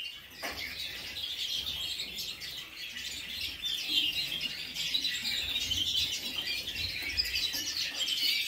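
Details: Several caged redpolls kept in an indoor bird room, calling in December: dense, overlapping high chirps and twittering notes, fast and irregular, continuous throughout, with occasional soft wing flutters beneath.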